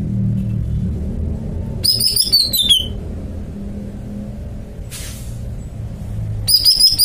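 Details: Greater green leafbird in a cage giving a fast descending phrase of sharp whistled notes, a brief hiss midway, then the start of another ringing phrase at the end over low hum.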